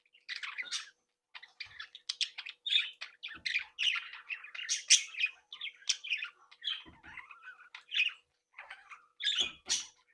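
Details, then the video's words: Happy chatter from a captive breeding group of budgerigars interacting and playing; a steady stream of scratchy warbles, squawks and clicking chirps, several birds calling at once. "Sonidos de Mi Cría de periquitos Australianos"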